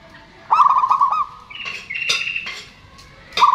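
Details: Zebra dove phrase of quick looped coos over a trill, followed by a higher thinner trilling from another bird and a final burst; local males and females answering each other, used as a lure.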